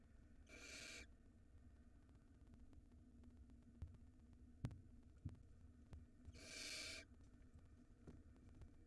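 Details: Barn owl at a nest in Israel, where a nestling is swallowing a rodent and the mother is present. Two harsh, breathy hisses lasting about half a second each come several seconds apart, with soft shuffling and tapping sounds between them.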